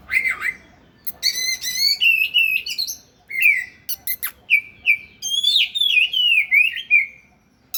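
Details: Oriental magpie-robin singing as it dances: a rich, varied run of whistled phrases, with sweet slurred notes, rapid chattering trills and sharp upward sweeps, delivered in quick bursts separated by short pauses.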